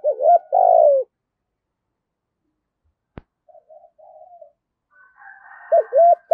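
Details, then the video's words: Spotted dove in 'giọng thổ' voice giving pushing and calling coos: two quick coos and a long buzzy one at the start, faint soft notes and a sharp click in the gap, then renewed coos with a hoarse buzz. "cu gáy giọng thổ thúc gù + gáy gọi đủ bài"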